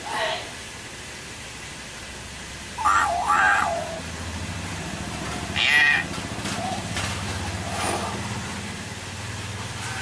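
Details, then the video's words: Young common hill myna learning to talk: two loud, harsh, harmonic squawk-like utterances near three and six seconds, with a few fainter notes between and a steady background hiss. "Anak Beo LUCU & Menggemaskan Lagi Belajar Ngomong, Beo Bicara"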